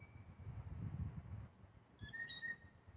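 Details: Blue jay mating whistle, with several males competing for one female: a single bright, slightly rising piping whistle near the end, over low rumbling background noise.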